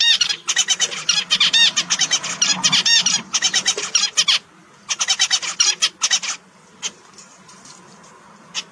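Zebra finches chatter in quick, nasal, toy-trumpet beeps, tumbling over one another in busy bursts.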